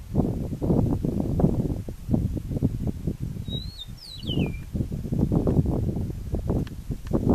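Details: Venezuelan Eastern meadowlark giving a single whistled song, bright slurred notes sliding down to a final lower tone, against constant loud low rumbling and wind-like noise.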